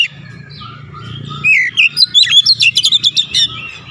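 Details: Kacer, the Oriental magpie-robin, singing gacor ngotot, bongkar isian: soft whistles over low rumbling, then a loud burst of swooping notes and about ten quick, sharp repeated chips.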